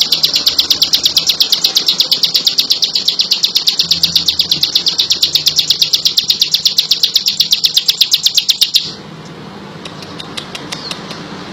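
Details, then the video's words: Bar-winged prinia singing actively: a fast, even run of sharp, high chipping notes, several per second, held steady for about nine seconds before stopping abruptly. Only faint background hiss and soft low noise follow. "Burung ciblek lulut gacor"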